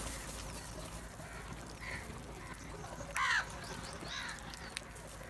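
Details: A large flock of black crows going after cheese; a single sharp, raspy caw stands out near the end, preceded by softer, distant calling and set against constant low noise.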